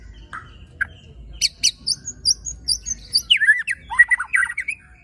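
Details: White-rumped shama (murai batu) singing tembakan and besetan phrases with coarse fill: scattered high thin notes, a string of short sharp ticks, then a lower, quick, twisting warble.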